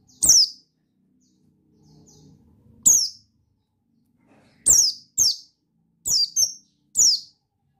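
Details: A male Buxton's white-eye (pleci) gives about seven sharp, very high chirps, each a quick downward sweep, singly or in close pairs with gaps of one to two seconds.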